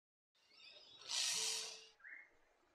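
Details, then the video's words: A spotted bowerbird gives a loud, harsh hissing rasp lasting under a second, led in by softer scratchy chatter and followed by a brief rising note. "Spotted Bowerbird"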